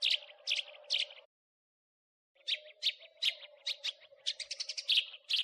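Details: House sparrow, crecetan chirping from a training recording for songbirds: three loud high chirps, a second of silence, then quickening chirps ending in a rapid burst, with a low hum during the calls.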